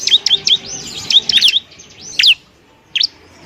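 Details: Masteran training song of a Bar-winged prinia (ciblek): a quick run of piercing high chirps and rising-falling whistles for about one and a half seconds, then two isolated sharp slurred notes after pauses.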